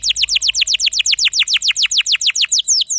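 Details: Canary singing a steady series of about twenty quick descending chirps, roughly seven per second, clear and loud over a faint low hum; a master recording for young or silent canaries.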